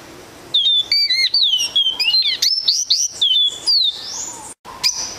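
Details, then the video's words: Double-collared seedeater (coleirinho) song: a fast, lively string of high chirps, whistled slurs and short twittering notes, mostly sharp and bright, ending with a thin drawn-out rising whistle and a final clipped note. "CANTOS AFINADOS 01( SABIÁ COLEIRA CABOCLINHO SANHAÇU)"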